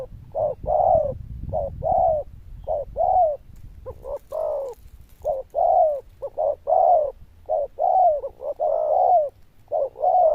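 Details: Loud, bell-like zebra dove cooing in a quick, continuous string of paired short and long notes, with a soft rumbling noise under the first seconds.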